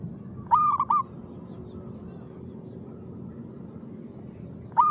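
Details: Zebra dove singing lively and rhythmically at 5 pm in the afternoon: a mellow, bubbling cooed phrase near the start, with a second phrase beginning at the end, over steady low background hum.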